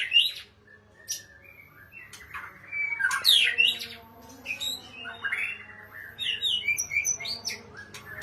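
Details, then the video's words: Oriental magpie-robin (kacer) singing a lively, varied song of sharp whistles, rising and falling slurs and quick chirps. Phrases change constantly, with brief pauses between bursts and a faint low hum behind. "KICAU MANTAP BURUNG KACER"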